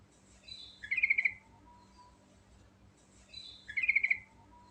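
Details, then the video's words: Natural song of a sooty-headed bulbul (trucuk), ngerol style: two short bubbly phrases of quick trilled notes about three seconds apart, with a faint low hum in the background. "Suara Burung Trucuk Alami Ngerol Gacor Full Isian"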